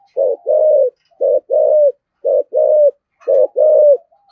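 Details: Deep-voiced thổ-style spotted dove, flock call used as a lure: four low double coos, each a brief note then a longer even coo, spaced about a second apart in quiet surroundings.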